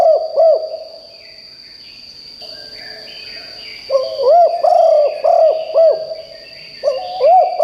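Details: Spotted dove used as a decoy to lure wild doves, cooing loudly: short looped coos in quick bursts, a couplet at the start and then two longer runs, over a steady high-pitched whine.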